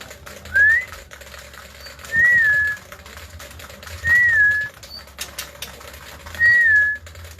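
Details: Male white-rumped shama that is getting used to being let out of its cage. It gives four clear whistled notes, each rising then falling, spaced about two seconds apart. A low hum runs underneath.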